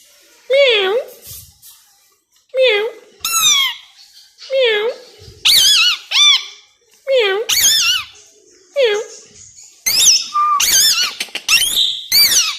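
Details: Two-year-old male plum-headed parakeet, a tamed indoor pet that mimics Urdu or Hindi words and whistles, utters a run of loud squeaky, wavering syllables in short bursts about every second, rising and falling sharply.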